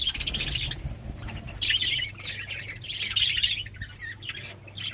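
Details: Budgerigar chatter in bursts of harsh, buzzy chirps and warbling squawks, several bouts in five seconds, over a steady low hum.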